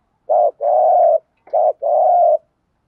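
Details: Early-morning call of a decoy spotted dove used to provoke wild doves: two paired phrases, each a short low coo followed by a long, steady, hollow coo, in a quiet setting.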